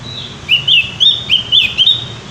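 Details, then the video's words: Javan white-eye in lively, loud song: a steady series of about six high, sweet warbled phrases, each rising and falling, delivered at roughly three per second against soft background hum. "opior jawa gacor ngeplong"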